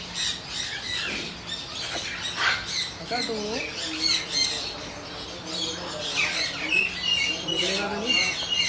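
Harsh, raspy cockatoo squawks come in rapid, uneven bursts throughout, mixed with a few lower, voice-like sounds.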